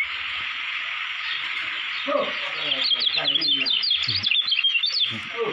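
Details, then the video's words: Competition-hopeful kecial kuning from Lombok, Indonesia: a lively, dense stream of high twittering notes over the last three seconds, with faint low voices and steady hiss underneath. "CALON JUARA GANTANGAN KECIAL KUNING LOMBOK"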